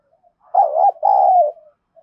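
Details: Single loud phrase from a spotted dove with a thổ-style voice, cooing aggressively to incite a contest: a wavering first coo, then a longer, smooth note that falls away at the end.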